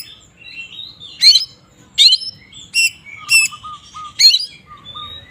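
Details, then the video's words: Oriental magpie-robin (kacer) singing in the ngeplong style, used to provoke other magpie-robins into agitation: sharp broadband bursts about once a second mixed with slurred whistled notes and a few lower, steady piping tones. "Suara burung Kacer ngeplong ini paling ampuh untuk pancingan Kacer agar emosi"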